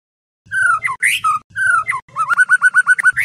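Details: Indonesian night-lure recording of White-rumped shama song for training competition birds: loud, slurred, descending whistled phrases separated by short pauses, followed by a rapid series of repeated clipped notes.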